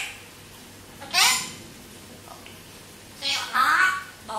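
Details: African grey parrot in Singapore talks in two short bursts of mimicked speech, breathy and high-pitched, with a faint hum behind.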